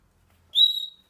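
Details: A happy Senegal parrot gives one clear, high whistled note lasting about half a second, rising slightly and then holding steady before fading.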